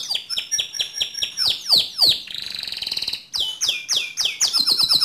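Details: Spotless white canary in vigorous song: repeated falling chirps, a short buzzy rolling trill, then a further run of bright descending notes.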